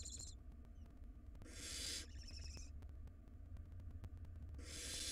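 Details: Nest-box barn owl nestlings, wild, tugging at a big rodent: short rasping hisses, a tonal squeak near the start, then two broad hissing screeches with a quieter one between, over low mechanical hum.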